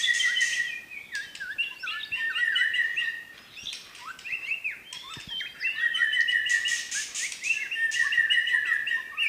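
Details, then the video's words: White-rumped shama of Medan pouring out 'tembakan' song: runs of bright repeated whistles alternating with buzzy high chatter, nearly continuous, against a constant low background hiss. "tembakan burung murai batu medan"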